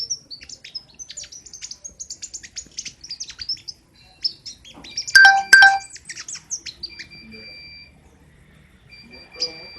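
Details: Caged king konin singing nonstop in the loud, sharp besetan style: fast bursts of high thin chirps and ticks, then a brief loud run of clear whistled notes with steady tones, ending in scattered quieter chirps.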